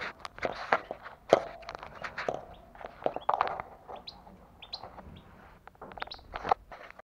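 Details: European goldfinch singing while mounting a female canary; rapid, jumbled twittering of short tinkling and buzzy notes, varied in pitch, delivered in quick bursts with brief pauses.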